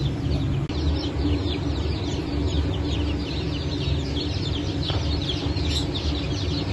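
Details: Chicken chicks from a 9 May 2024 hatch of Brahma, Phoenix, Sultan and Appenzeller breeds give quieter, scattered high cheeps, many overlapping, above a loud continuous low drone and a brief click near the first second.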